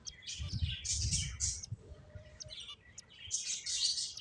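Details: Finches at play, giving bursts of high, thin chirps and tweets in quick overlapping runs, with soft low fluttering and rustling underneath.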